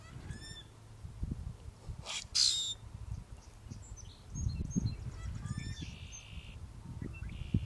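Short, high chips and a brief squeaky, harsh burst from a Common Grackle, scattered over a steady low rumble of wind or traffic.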